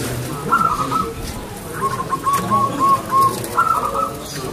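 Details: Perkutut, the local zebra dove, singing keenly: a bright high phrase, then five or six clear, evenly spaced lower coos, then the high phrase again, with low background murmur.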